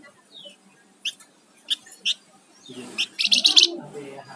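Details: Flamboyan songbird in gacor song: a thin downslurred whistle, three spaced sharp chips, then a fast loud stuttering buzzy phrase over low background murmur.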